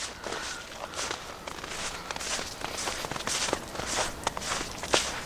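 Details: Footsteps crunch in snow during a hike, a steady walking rhythm of crisp crunches with a faint outdoor background.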